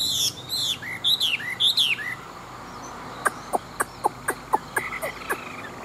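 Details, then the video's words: Chinese hwamei, a large old wild-caught fighting bird with a fine wild voice, kept caged: high, sweeping whistled phrases for two seconds, then a regular series of sharp clicks mixed with a few soft whistles. "Họa Mi Bộ To, Chim Già Rừng Chất Giọng Rừng Rất Hay"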